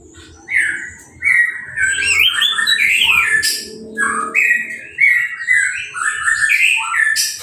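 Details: Caged orange-headed thrush, just out of moult and sprayed clean with a hose, sings uncovered: sweet whistled notes strung into a lively, varied warble with quick up-and-down slurs and a few sharp high chips.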